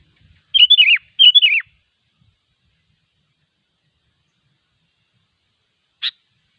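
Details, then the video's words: Wild sooty-headed bulbul repeating a brief warbled phrase twice in quick succession, each with a wavering then falling ending; a single sharp click follows after a few seconds of silence. "suara burung kutilang ASLI ALAM LIAR || semua kutilang pasti gacor"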